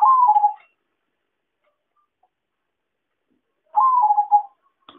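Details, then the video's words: Lure call of a zebra dove for bird trapping: two rapid, pulsed cooing phrases, each rising briefly then falling, about half a second long and nearly four seconds apart, with a short click at the end. "suara pancingan dan suara pikat perkutut paling ampuh"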